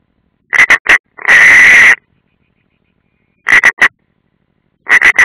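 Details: Live nest camera at Ādaži training ground, Latvia, 30 June 2016, European rollers: clusters of three quick rasping notes and one long harsh drawn-out call.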